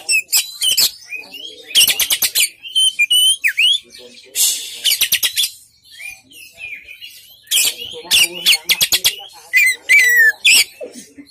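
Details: Oriental magpie-robin in sustained song, mixing loud rasping, rattling bursts with sweet whistled slides and trills, phrases repeated irregularly every second or two.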